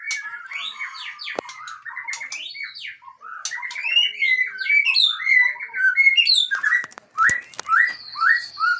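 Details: White-rumped shama from Aceh singing a rich, varied song: fluttering whistles, rapid slurred notes and sharp clicks, with a long steady whistle near the end.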